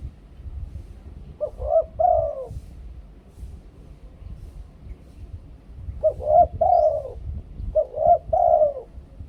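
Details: Spotted dove from Thailand, a decoy bird singing the "2 kuk khu-ang" coo style: three deep cooing phrases, each a short note then two longer hollow coos, separated by pauses, over low rumbling background noise.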